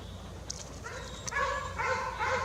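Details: Harsh, nasal, rasping calls from a young jay that has left the nest, in forest, coming in three quick bursts that grow louder toward the end.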